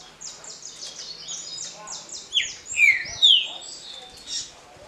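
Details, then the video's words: Green-winged saltator singing the short smooth Paraná style for competition circles: a phrase of three ringing, falling whistles midway through, set against continuous high-pitched chatter from other birds. "TRINCA FERRO DE CANTO CURTO LISO PARANÁ (CANTO PRA RODA)"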